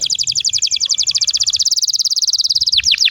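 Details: Canary song meant to coax other canaries into singing: a very fast, even trill of bright high notes for over two seconds, ending in a few sharp descending swoops.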